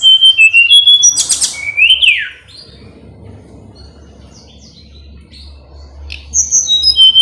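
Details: Sunda robin (mountain tledekan) singing to rouse a rival: quick high whistled phrases and a harsh noisy burst with a descending slur, then a long quiet gap, before high whistling resumes at the end.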